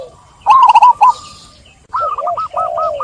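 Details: Zebra dove gives a fast stuttering series of cooing notes, a short gap, then a longer phrase of evenly spaced looping coos over a lower soft purr.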